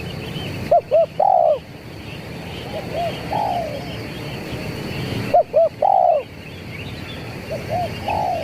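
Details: Zebra dove call used as a lure, 'kuk 3' style. Twice, two quick hollow coos lead into a longer, slightly falling coo. Softer echoing coos follow each phrase against a constant background hum.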